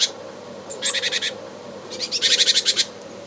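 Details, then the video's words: Great Tit in a Hampshire, UK garden, 2020, angry or alarmed, giving its strident scolding call: two harsh bursts of rapid rattling notes, about six then nine in quick succession, high and buzzy. "when angry or alarmed the great tit has a very strident scolding call"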